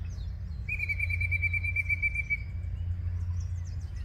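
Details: Singing yellow-breasted chat in Osborn Metropark, Huron, Ohio, May 23, 2023, mid-morning, giving one sustained pulsed whistle of nearly two seconds that fades away, followed by faint thin high notes over a low rumble.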